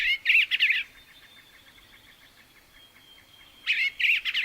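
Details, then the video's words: Songbird singing in two short bursts of rapid, warbled, chirping notes, one at the start and another after a pause of about three seconds, with a faint thin whistle in between. "CANTOS DE PÁSSAROS"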